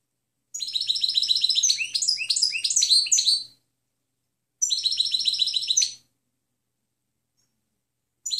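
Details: European goldfinch singing its clean song, a recording meant for training other birds: a three-second burst of rapid, liquid twittering and buzzy trills, a pause, then a shorter burst, with a third phrase starting at the end.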